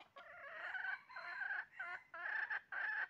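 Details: Red junglefowl calling during trapping on 20 January 2023: drawn-out harmonic, nasal notes in several bursts of about half a second, separated by brief gaps.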